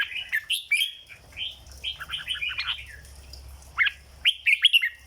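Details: Red-whiskered bulbul, a cage bird, delivering its 'dok' song: a run of rich, warbled whistles, a short pause, then several loud, quick, upslurred notes at the end.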